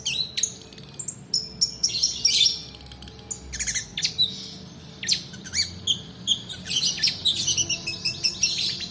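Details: Long-tailed shrike singing a long rolling song used as a lure for training other birds: rapid high, harsh and scratchy notes and trills in dense bursts, clean with no other sounds.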